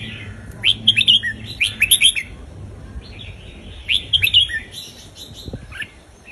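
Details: Indonesian red-whiskered bulbul kept in a cage, singing southern folk-style song used for tutoring young birds and exciting listeners; two lively clusters of sharp, warbled chirps with brief gaps and a faint low hum behind.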